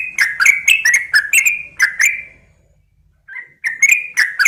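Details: Female sooty-headed bulbul calling a male: a burst of quick bubbly chirps for about two seconds, a silent gap, a soft lone note, then chirping starts again.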